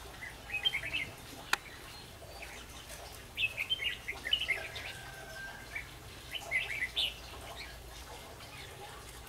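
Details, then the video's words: Red-whiskered bulbul used as a decoy in fight-trapping, singing short bright warbled phrases in bursts at about 0.7, 3.5–4.5 and 6.5–7 seconds, separated by quiet gaps, over a faint steady background hiss. "Bẫy đấu chim chào mào, Bẫy chào mào"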